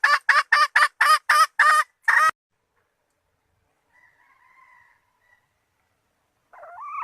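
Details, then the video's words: Hen red junglefowl calling males as a lure: a fast run of about eight short, harsh, evenly spaced notes, then near silence with a faint thin tone and a rising note at the end. "suara ayam hutan betina merah asli/The sound of the original red female jungle fowl"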